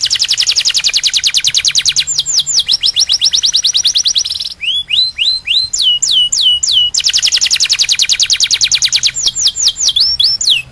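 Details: Song of a canary meant to tutor young birds into singing: rapid buzzy rolled trill, then bursts of clear whistles sweeping downward, alternating between fast rolls and slower falling notes, loud and steady with no other sounds.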